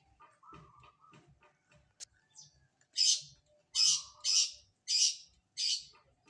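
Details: Long-tailed shrike bathing in the morning: soft low sounds and a faint tone at first, then a series of five loud, scratchy, broadband rasps spaced roughly half a second to a second apart.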